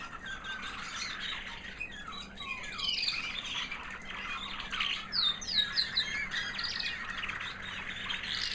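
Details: Proven American Singer canary hen, white, from 2009, singing after molting: rapid sweeping notes and slurred twitters, repeated about two to three times a second, building into a busy high warble.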